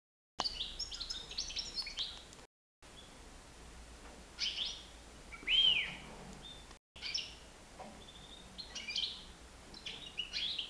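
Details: European goldfinch, nine months old, free in a living room, delivers clusters of liquid twittering notes, a single clear rising-falling whistle in the middle, then more tinkling twitters.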